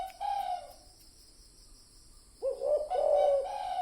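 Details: Spotted dove cooing for use as a lure: one brief coo, a silent stretch, then a louder two-part phrase, a short note leading into a long hoarse coo.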